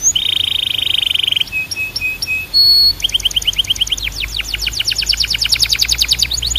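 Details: Canary song with a steady buzzing trill, then short level piping notes, a brief harsh note, and a long accelerating series of sharp downward chirps.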